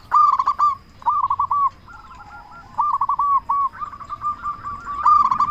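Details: A loud local zebra dove used as a master bird to provoke others; several emphatic stuttering phrases of short coos, separated by brief pauses, with a long even run of notes in the middle.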